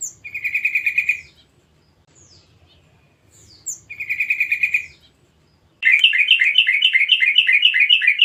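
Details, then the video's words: Young forest yellow-vented bulbul calling as a lure to prompt bulbuls to sing: two short buzzy trills with thin high chips, followed by a sustained stream of fast, bubbly, repeated chattering notes; faint low hum beneath. "pancingan trucukan muda hutan/bahan // panggilan burung trucuk agar cepat bunyi"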